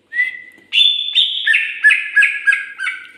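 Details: Cucak ijo (greater green leafbird) from Indonesia delivering a rapid run of clear whistles: one long rising note, then quick repeated slurred notes that alternate high and low about three times a second.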